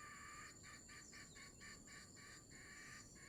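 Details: Wild red junglefowl in Sumatra, recorded while being lured with a decoy near the end of the fasting month: a rapid series of harsh, clucking pulses, about four per second, over a steady hiss of insects.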